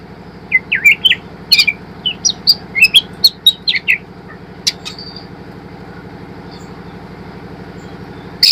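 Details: White-rumped shama, a young spotted bird, singing as a lure to train birds to sing: a quick run of clear whistled slurs and sharp clicks over about four seconds, then thin high notes, over a steady mechanical hum.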